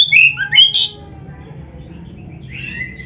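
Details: Oriental magpie-robin (kacer, black-breasted form) in energetic gacor song packed with fill phrases, used as a master training recording for caged birds. Short bright whistled and warbled notes open the clip, then it fades to near-silence with faint high notes.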